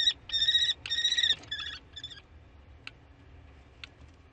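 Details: Common kestrel calling on 15 May in spring: a quick run of shrill, ringing notes that trails off after about two seconds, followed by quiet with two faint clicks and a low background rumble.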